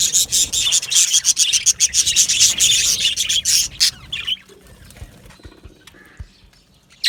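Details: Budgie parakeets in an aviary colony chatter in a thick, busy stream of high twittering chirps for about four seconds, then fall almost silent apart from a few faint scattered notes and soft rustling.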